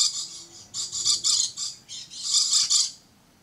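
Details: Red-collared lorikeet at Lion Country Safari in Florida giving harsh, high, screechy bursts in quick irregular runs, several per second, with chattering between them.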